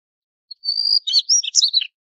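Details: Single phrase of a Daurian redstart: a faint lead-in note, a sustained thin high whistle, then four or five quick scratchy, warbling notes in a tumbling sequence, all within about a second and a half.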